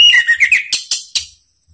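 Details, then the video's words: Orange-headed thrush singing, played as a lure to prompt other birds of its kind to reply. Quick slurred whistles drop in pitch, followed by three sharp, scratchy high notes about every quarter second, then fading. "ANIS MERAH manapun jadi NYAUT NGEPLONG dengan SUARA ini ¦ PANCINGAN AM"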